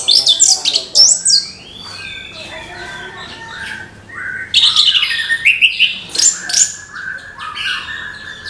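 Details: An orange-headed thrush gives lively morning song: bursts of high chattering notes and descending whistles, a brief lull, then dense, rapid, varied phrases with buzzy and piping elements.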